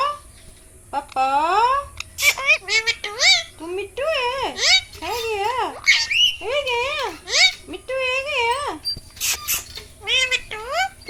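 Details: A pet Indian ringneck (rose-ringed) parakeet chatters mimicked Hindi words such as "mithu", "beta", "mummy" and "papa" in a nasal, wavering voice, with rapid harmonic syllables rising and falling in quick phrases, plus a few sharp squawks.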